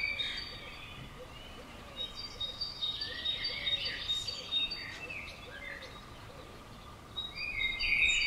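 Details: Common swifts screaming at and around a house on June 5th 2011, 'bangers' flying close; shrill, buzzy high screams in rushing bursts, several birds overlapping, louder passes near the start, middle and end over steady background hum.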